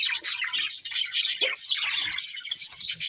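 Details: A breeding pair of colourful budgerigars keeps up steady, high chattering: rapid buzzy chirps and warbles overlap continuously, with occasional short lower squeaks.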